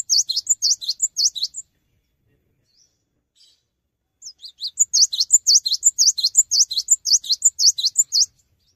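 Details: Cinereous tit in full gacor song, not hopping: clear ringing high phrases repeated quickly and evenly, a brief gap, then a longer strophe of the same sharp doubled notes.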